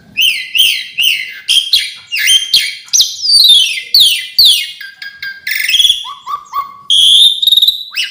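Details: An Asian pied starling sings a song of varied fill-in phrases: a run of repeated whistled notes sliding downward, rasping buzzes, then low upslurred whistles and a sustained high warbling note.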